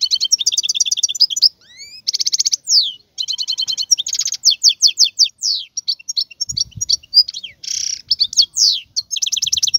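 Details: Wild European goldfinch in full song: long run of rapid liquid twitters, rattling trills and sharp descending whistles, with a short harsh buzz midway and barely any background noise.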